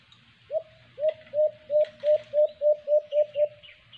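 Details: White-eared brown dove (alimokon) calling at a cage-trap site: ten rounded low coos in a steady series of about three and a half per second, with high thin chirps of other birds scattered above.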